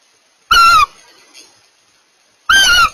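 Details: Two loud hoarse screeches from mating barn owls, short and flat-pitched with a rough buzzy quality, about two seconds apart over a quiet background.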